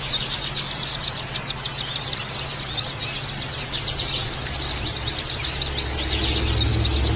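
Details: Group of Oriental white-eyes (pleci) in a therapy recording to spur harsh chirping and open beaks: dense high twittering, rapid and overlapping, with a low rumbling noise growing near the end.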